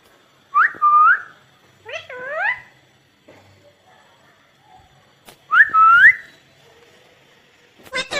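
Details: Pet ringneck parrot indoors giving short whistled notes that swoop up and level off, a pair of rising harmonic calls, long quiet gaps, and a faint rustle at the end.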